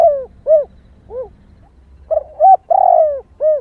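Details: Female spotted dove calling to excite males: three separate short rounded coos, then a phrase of quick double notes, a long trilled falling coo and a final short coo.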